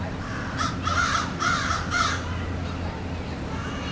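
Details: Crows perched in a tree give a quick run of harsh, hoarse caws, about five in the first two seconds, then fall quiet over a steady low rumble in the background.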